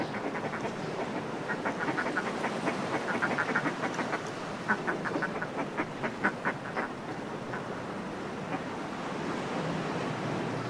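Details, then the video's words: Northern fulmars displaying in groups on cliff ledges: a stuttering, harsh cackle rising to a peak then trailing off, leaving the rush of sea wash. "Northern Fulmar / Calls CU From Groups Displaying On Cliff Ledges"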